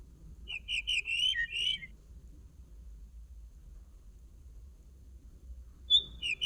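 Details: Common linnet singing: a quick run of short chirpy notes that ends in a drawn-out whistle falling slightly in pitch, then silence, then a new phrase beginning with a sharp whistle near the end. Faint low hum underneath.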